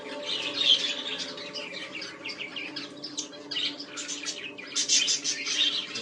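Budgerigars chatter continuously in overlapping high chirps, warbles and squeaks.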